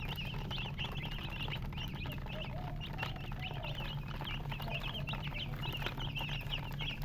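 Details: Baby chicks chirping together: many high, short downward peeps overlap in a continuous busy chatter, with a steady low hum running underneath throughout.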